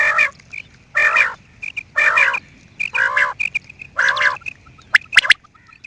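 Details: Quail producing raspy, croaking notes about once a second, with soft short whistles between them and a quick burst of sharp clicks near the end.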